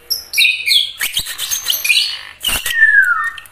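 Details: White-rumped shama (murai batu) singing gacor style, with fast warbled high notes and buzzy bursts ending in a clear, slurred whistle that falls smoothly in pitch.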